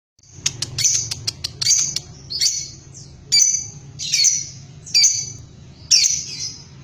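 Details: Lovebird kept at home, chirping: a quick run of sharp clicks, then separate high squeaky chirps at roughly one-second intervals, each a short bright burst, over a faint low hum.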